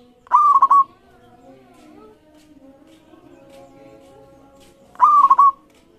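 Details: Local zebra dove giving a lure song to set other doves singing: two bright, rolling coo phrases about four and a half seconds apart, with soft murmuring background noise between them.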